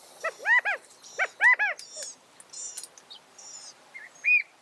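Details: California quail giving two loud phrases of arched, harmonic notes in quick groups of three, followed by softer, thin high chips and a brief rising squeal.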